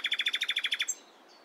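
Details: In the morning a nightingale delivers a fast, harsh rattle of about a dozen loud identical notes that stops abruptly, followed by quiet.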